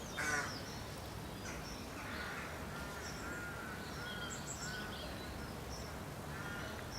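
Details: At a rook colony with nests and young in late March, rooks give a few hoarse, harsh caws spaced over several seconds, with faint higher bird notes over a steady background hiss.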